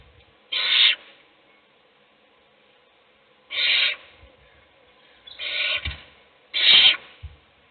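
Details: Owl in a nest box, one chick being fed while others sleep; four breathy, rasping hisses, the first two three seconds apart and the last three close together, with soft bumps underneath.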